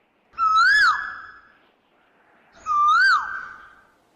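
A koel gives two loud, clear whistled notes, each swelling upward then dropping away, spaced about two seconds apart. The background is quiet.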